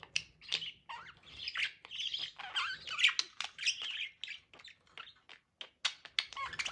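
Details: Budgerigars mating, with a rapid scratchy warble of squawks and chirps, including some lower rasping notes, breaking into short separate chirps near the end.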